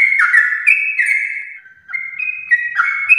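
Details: Singing yellow-vented bulbul from a prize lineage, long fast song for prompting pet birds: fluty whistled notes at alternating pitches, a short dip in the middle, then resuming.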